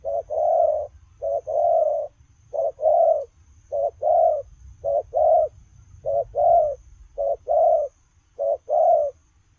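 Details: Spotted dove coos repeated in short-long pairs while the bird runs, low and slightly buzzy, each pair about a second apart and very regular, with a soft low hum beneath.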